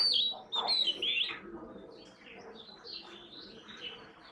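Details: Oriental magpie-robin, the national bird of Bangladesh: a few bright, clear whistled notes in the first second and a half, then fainter scattered chirps fading into background noise.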